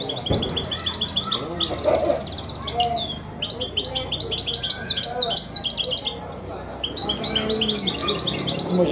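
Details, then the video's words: Hybrid goldfinch × canary (mule), sired by a goldfinch on a canary hen, delivering dense widani-style song: continuous rapid twittering, buzzy trills and sweeping whistled notes, with low background voices. "هجين ويداني"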